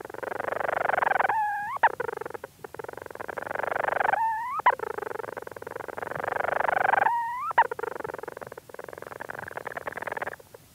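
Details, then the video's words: Close-up recording of a Leach's storm petrel in its burrow: long, low, continuous purring churrs, each broken by a sharp rising hiccup note, repeated about every three seconds, with faint movement sounds. "Leach's Storm Petrel. CU Calls From Bird In Burrow And Movement Sounds."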